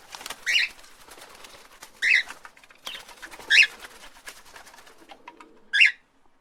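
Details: Parrots calling with loud grating squawks roughly every one and a half seconds, with scratchy rustling in between.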